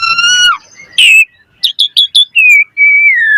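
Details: Asian pied starling song with a steady harmonic whistle, a harsh rasping burst, four quick clipped chirps, then long descending whistled notes.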